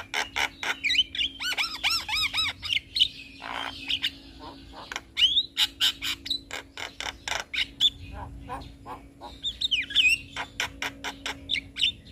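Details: Javan myna song for tutoring, packed with varied phrases: rapid rhythmic clicks, looping warbled notes, squawks and sharp chirps repeated several times per second, with short whistled slurs over a low constant hum.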